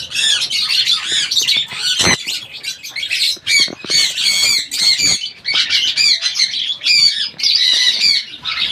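Sun conure giving harsh, grating squawks in rapid, nearly continuous bursts.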